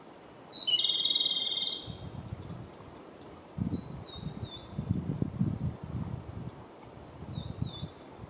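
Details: Japanese robin singing in spring 2022: one loud, high rattling trill lasting just over a second after a sharp opening note, then faint thin descending whistles over a low rumbling background.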